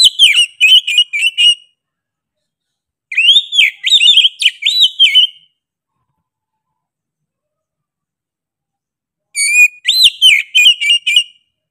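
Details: Oriental magpie-robin in full, insistent song: three separated bursts of fast whistled notes, each bending up then down, delivered in rapid strings of six to eight with long silent gaps, and no background noise.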